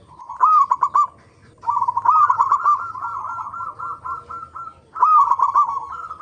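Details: Local zebra dove lure song for encouraging other zebra doves to sing: an extended rolling trill of rapid coo notes after a rising start, then a fresh phrase beginning with another upswept note.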